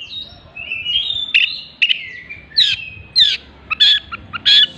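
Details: Oriental magpie-robin singing with mimicry of a hen's after-laying clucks: a long wavering whistle, then a series of short harsh clucking notes spaced about half a second apart.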